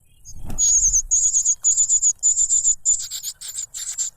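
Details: Cuckoo chick begging noisily while grabbing food from its foster parent: after a soft thump, very high, thin chirps come in rapid bursts of four or five, repeating without pause.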